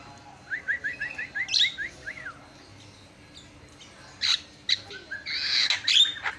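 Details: Javan myna song used as master song to trigger singing: a quick string of short rising whistled notes, followed by scattered harsh, raspy squawks and a final burst of chattering.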